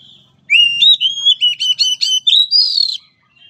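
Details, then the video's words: Oriental magpie-robin song for training a weak-spirited bird: a sustained, rich whistled phrase with quick trilled flourishes layered on top, ending in a higher rising whistle, with a faint low hum beneath. "Latihan Suara Terapi Kacer Lemah Mental"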